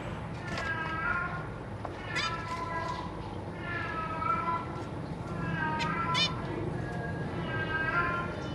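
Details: Zebra finch family on 3 March 2023, parents busy feeding three newly hatched babies with three juveniles nearby. Repeated nasal, harmonic calls come in bursts about every second or two, some short sharp clicks between them, over a low background hum.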